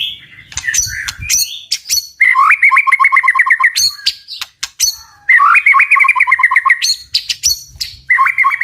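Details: White-rumped shama in intense tạch-style song to incite birds to fight, repeating two bursts of fast, rattling trills, each lasting over a second, separated and framed by sharp, high chipping notes.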